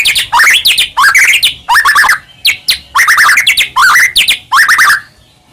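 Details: Energetic white-rumped shama song meant to provoke other shamas into singing, given in short bursts of rising whistled notes with harsh buzzy overtones, each burst about half a second long with brief gaps between.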